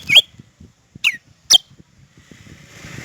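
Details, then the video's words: Cucak rante calling: three loud, clean, shot-like whistled notes about half a second apart, each a quick upward-then-down inflection, followed by faint low rustling and a soft hiss. "Suara asli burung cucak rante buat masteran dan pikat"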